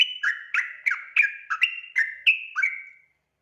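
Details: Sooty-headed bulbul singing energetically as a lure to make untrained bulbuls sing: a short burst of about nine crisp whistled notes at a steady three per second, mixing high level tones with lower falling ones, ending in silence.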